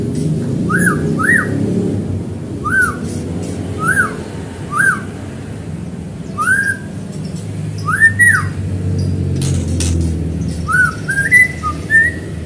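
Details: White-rumped shama singing to stir other shamas into song: clear rising-and-falling whistled notes, often in pairs, repeated every second or two, with faint high ticks and a low steady hum behind.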